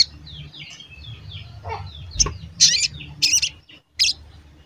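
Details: Sogon sounds played to coax birds into song: soft background twitters, then several short, bright, high chirps in the second half, over a low rumble.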